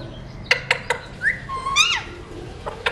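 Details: A seed-eating Alexandrine parakeet of a talking mutation opens with three quick clicking ticks, then a gliding whistle that rises and swoops, followed by two faint clicks.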